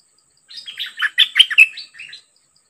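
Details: Decoy bird set out against a very aggressive wild-caught bird of the same kind: a loud, rapid, jumbled burst of chirps and sharp whistled notes lasting under two seconds, with a quiet background.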